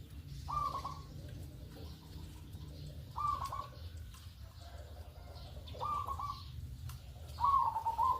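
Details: Morning lure call of a local zebra dove: four clear, trilled cooing notes, each brief and slightly falling, spaced roughly every two and a half seconds, with a constant low background rumble.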